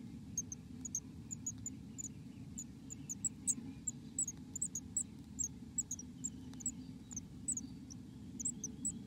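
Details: Black-capped chickadee in the nest giving a steady stream of tiny high-pitched chips and ticks, spaced irregularly a fraction of a second apart, against a constant low rumbling background.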